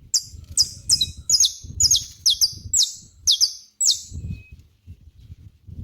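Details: Saffron finch in natural surroundings, giving a run of about eight sharp, high, downward-sweeping chirps, some doubled, spaced roughly half a second apart, with low rumbling background noise.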